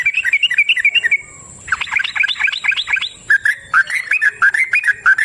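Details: Wild yellow-vented bulbul with a long 'ropel' song: quick bubbly whistled phrases, a brief pause, then a rapid jumbled chatter of notes, followed by clearer chirped whistles; a thin high steady hum runs behind.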